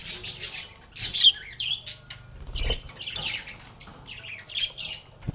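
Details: Lovebirds playing and calling: harsh, scratchy, high-pitched squawks in short irregular bursts with brief pauses between them, and a low knock in the middle.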